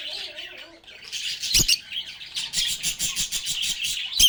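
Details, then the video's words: Lovebirds (Agapornis) chatter in a dense run of high, shrill chirps and squeaky twitters, with rapid repeated notes toward the end and a few soft knocks. "Lovebirds agapornis sounds | Relaxing Sounds of Singing, Playing, and Talking Parakeets"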